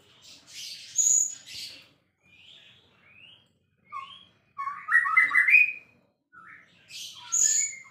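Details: White-rumped shama, a champion songbird, delivering varied phrases: high piercing notes, short rising whistles, then a loud burst of rapid jumbled whistling before a last high note.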